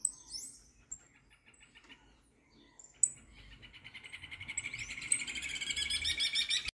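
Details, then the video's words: Saffron finch emerging from moult, opening with a few isolated high chirps, then building into a fast, buzzy, rhythmic trill that grows steadily louder, topped by thin rising whistles. "Canária da terra fogosa saindo da muda"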